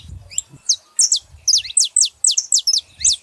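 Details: Saffron finch pair, female and male, giving a loud run of clear, sharp downslurred notes spaced about a quarter second apart, preceded by softer chirps and some low thumps.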